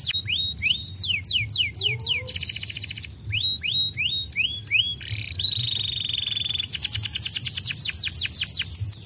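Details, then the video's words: Canary in varied song, played to make silent canaries reply: drooping whistles, buzzy rattled bursts, a sustained level tone and a closing rapid trill of short slurred notes, over a faint low hum. "putar sebentar kenari diam langsung nyautt gacor"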